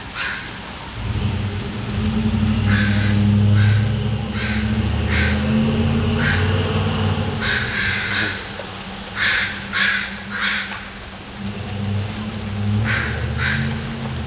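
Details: Several street crows, said to be getting angry, cawing repeatedly in harsh, raspy bursts, sometimes in quick pairs or clusters, against a steady deep rumble like traffic or wind.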